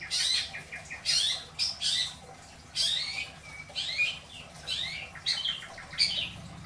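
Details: Isian song of a caged long-tailed shrike in Indramayu: loud scratchy bursts alternating with sharp downslurred whistles and brief chattering phrases, separated by short pauses.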